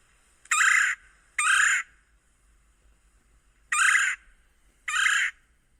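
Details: Red-bellied woodpecker giving four harsh, rolling churr calls, each under half a second, in two pairs about three seconds apart; otherwise quiet.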